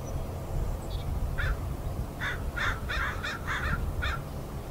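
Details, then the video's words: Crows chattering on a marsh in Richmond, British Columbia, Canada, 16 May 2018, a heron nearby: a quick string of harsh, grating caws bunched in the second half, over a continuous low rumble. "crow talk"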